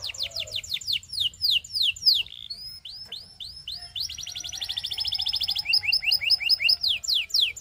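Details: Singing canary encouraging other canaries to join in: quick downward whistled sweeps, rising slurred notes, then an extended fast rattling trill broken into bright chirping phrases, loud and varied throughout.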